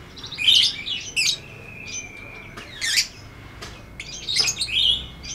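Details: Lovebird ngetik ngekek song for training audio: shrill chattering bursts, a drawn-out steady whistled note, then more loud high chatter.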